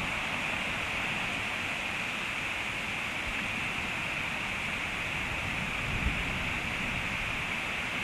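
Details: Steady rushing broadband noise like flowing water fills the recording, with no animal calls heard.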